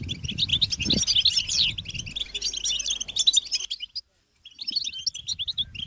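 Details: A flock of European goldfinches chattering together to stir males to sing: busy high twittering with quick slurred notes, a brief low thump near the start, then a short silent break before the chatter resumes.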